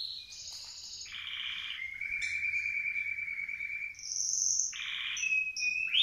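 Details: Canary, freshly through its moult, practising its song: high trills, buzzy rattling blocks and a long level whistle lasting about two seconds, then more buzzy bursts and sliding whistled notes.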